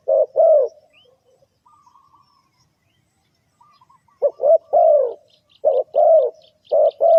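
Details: Spotted dove cooing used to trap birds: two coos, a pause with faint soft notes, then repeated short-and-long coo pairs, with thin high chirps from another bird near the end.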